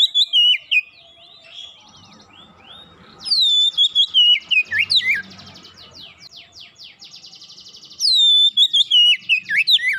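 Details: Quick, vigorous singing from an Oriental magpie-robin prompted by a single lure, with loud downslurred whistles and rapid warbled twists in bursts, between them a long rattling buzzy pulsed series.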